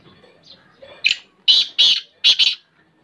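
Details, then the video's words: Black francolin (kala teetar), a hand-tamed pet bird from Pakistan, calling at close range: a soft note, then a series of loud, harsh, rasping bursts, the last two closely paired, in a quiet setting. "Black Francolin voice, Kala teetar"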